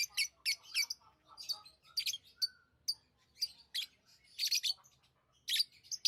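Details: Lovebirds kept as tame pets give dense, rapid, piercing chirps, several per second, high and screechy with brief pauses between clusters.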